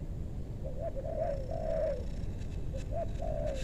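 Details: Spotted dove in meranti woodland in western Bogor during bird luring: two coo phrases, short clipped notes then a drawn-out falling coo, clear against low-pitched background noise.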